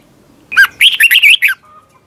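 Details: Competitive song from a red-whiskered bulbul meant for training birds: one lively phrase of about six warbled whistled notes lasting a second, ending abruptly.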